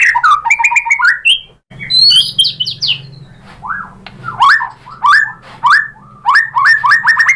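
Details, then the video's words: White-rumped shama, called murai batu, singing a lure song meant to provoke other shamas: rich, varied phrases of whistled slurs and rapid trills, with a pause after the opening, over a low steady hum. "Suara MURAI BATU jadi EMOSI GACOR BONGKAR ISIAN | PANCINGAN MURAI ¦ SHAMA BIRD"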